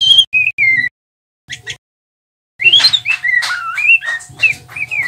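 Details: Young male white-rumped shama learning to sing, a twittering practice song: clear whistled notes sliding downward, a pause, then a fast varied run of rising and falling whistles and chirps, over a steady low electrical hum.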